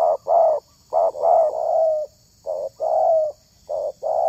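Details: Spotted dove calling to lure other doves: a rhythmic series of throaty coos, short notes leading into longer sustained ones, grouped in phrases separated by short gaps.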